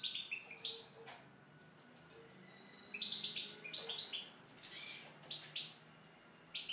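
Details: Tunisian European goldfinch singing in an aviary: quick bursts of high, tinkling twitters and buzzy trills broken by short pauses. There is no other clear sound.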